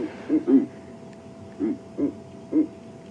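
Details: One of a pair of Verreaux's eagle-owls calls at dawn before sunrise (9°C, during the dawn chorus): five deep, gruff, full-body grunting hoots over about three seconds, unevenly spaced, like dueling trombones, over a faint hum.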